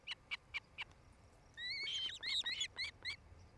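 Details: Osprey pair at their nest in Charlo, Montana, picked up by a nest camera on 8 July 2018 in the early evening: a few short spaced chirps, then a louder run of sharp, upslurred whistled cheeps repeated rapidly.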